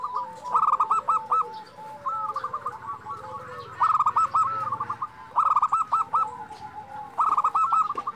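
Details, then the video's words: Local zebra doves (perkutut lokal) singing energetically, a recording meant to stir silent doves. Quick bubbling runs of clipped coos come in bursts roughly every one and a half seconds, answered by fainter, lower, sliding coos from other birds. "perkutut lokal gacor"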